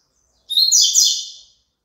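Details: Double-collared seedeater song, played for a caged bird to sing along to: a brief high whistled note opens into a dense, buzzy, warbling phrase lasting about one second, with clean silence around it.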